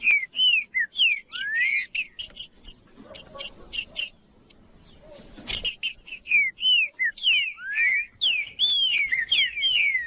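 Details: Green-winged saltator singing to stimulate and warm up other males, as breeders do before song contests. Loud, clear, slurred whistled phrases, some rising and some falling, come in quick runs. Sharp high chips and a steady thin high tone run through the background.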